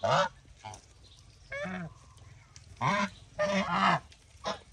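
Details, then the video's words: Farm geese honking repeatedly, with several loud, harsh, nasal honks in irregular bursts, some paired close together, over low background rumble. "Wow amazing lion geese 🪿"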